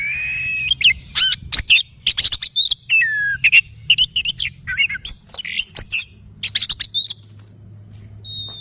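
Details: Oriental magpie-robin singing in the morning: a rapid, varied stream of sharp chips, clear whistles and short warbled phrases for about seven seconds, then near silence with a faint hum.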